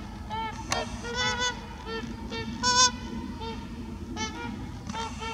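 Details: Trumpeter swans in Heber Springs, Arkansas, calling in short bursts of harmonically rich, trumpet-like honks, some doubled, over a constant low background rumble.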